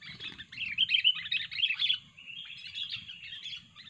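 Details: Sooty-headed bulbul, said to be very fierce and chatty and used as a lure for trapping, in continuous jumbled twittering and bubbly whistled notes rising and falling in loudness, with a low rumble beneath.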